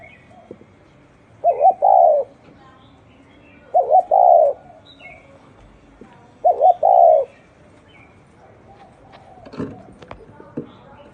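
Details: Spotted dove with an unusual cooing style: three clear phrases about every two and a half seconds. Each is a quick doubled coo running into a longer falling coo. A broad rustling knock follows near the end.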